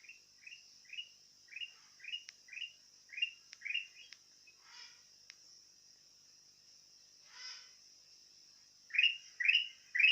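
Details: Actively singing sooty-headed bulbul delivering a rapid run of short, downslurred chirps about twice a second, then a pause with a couple of soft rustly bursts, and finally louder chirps. A steady high hiss continues throughout.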